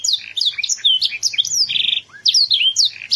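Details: Short burst from a loud young canary, Yogyakarta, Indonesia: whistled sweeps and chips, a harsh buzzy trill in the middle, a brief pause, then more rapid slurred notes.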